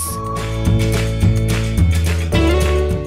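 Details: Loud strummed guitar music with a deep bass line and a steady beat. No animal calls are heard.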